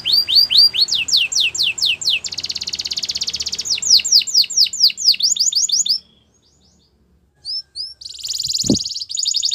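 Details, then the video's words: Canary singing swept high notes, a buzzy roll and rapid trills, then a pause with a few faint notes before a final buzzy roll. A brief low thump is also heard. "All the canaries will sing along after hearing this canary chirp"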